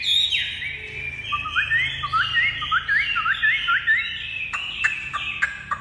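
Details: Tame caged Chinese hwamei singing a run of rapid rising whistled upslurs, each repeated in quick succession over a steady whistled tone, ending in bright clipped notes and clicks; soft music underneath.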